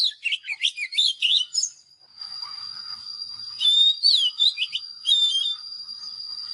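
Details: Oriental magpie-robin singing well: bursts of varied, sweet whistled notes that rise and fall in quick sequences, a pause, then another run of slurred whistles, over a steady high-pitched whine throughout.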